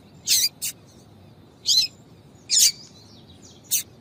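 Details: Female yellow-bellied seedeater, known locally as papa-capim, calling 'tui tui' to attract males. Piercing, high chirps come about once per second, the first a quick double note, with soft hiss between them.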